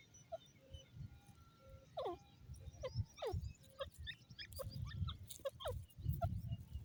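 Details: Grey francolin, known locally as teetar, giving a series of short, downward-sliding squeaky notes, some in quick pairs, scattered irregularly over about seven seconds against a steady low rumble and occasional clicks.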